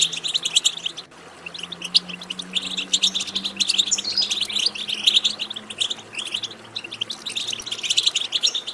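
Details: Goldfinch chatter to encourage goldfinch singing: continuous fast tinkling and buzzy high twitters in waves, over a faint low steady hum in the background.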